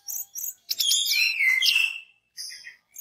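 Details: Orange-headed thrush song played as a lure to set other orange-headed thrushes singing: two short high chirps, then a loud rich warbled phrase sliding down and levelling off, followed by brief high notes.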